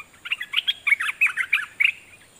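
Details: Red-whiskered bulbul decoy bird in a cage singing at wild birds: a quick run of about ten clear, chirpy whistled notes, each bouncing up and down, delivered in a tight rhythmic phrase over quiet surroundings.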